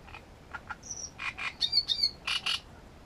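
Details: A Great reed warbler at Grachevka sings a rough phrase: soft clicking notes, a thin high whistle, then harsh rasping croaks and squeaky chirps in close pairs, rising in loudness toward the end.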